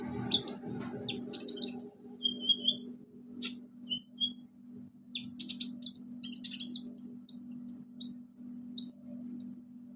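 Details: Konin bird singing a full song packed with mimicked sounds: crickets, golden grasshopper, chicks and other konin birds. Rapid, high, varied chirps, whistles and short trills in quick bursts, over a steady low hum.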